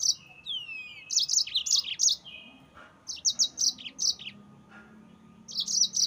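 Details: Yellow-fronted canary in full rolling song used as a lure to anger rivals: downward-sweeping whistles open into rapid high chattering trills, broken by short pauses and resuming in quick bursts.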